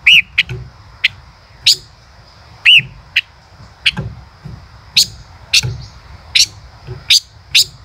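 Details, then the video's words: A male common rosefinch sings two looping whistles early on. Scattered sharp, high chips follow at irregular intervals, and a faint steady high background hum runs throughout. "tiếng chim ngũ sắc hót - chim ngũ sắc trống hót chế cựa hai"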